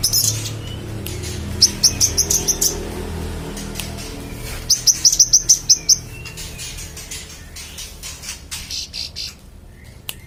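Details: Magpie-robin in lively song, meant to teach contest songbirds: two rapid trills of high, sharp repeated chirps separated by a pause, then fading to quieter clicks and hiss.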